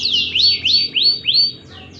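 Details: Lively canary song played as a lure to get lazy canaries singing: four rising, arched whistled notes repeated about every third of a second, each sweeping up then curving down, ending in fainter high notes.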